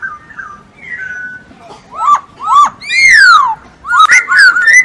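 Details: Masked laughingthrush singing vigorously for songbird training: faint falling whistles, then loud hooked upslurs, a long strong falling whistle and a closing flurry of overlapping rising and falling notes.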